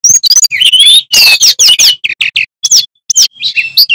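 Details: Vocal male Sikatan Bambu delivering a loud, varied song of high sweeping whistles, buzzy bursts and quick chirping notes packed closely together, with one brief pause near the middle.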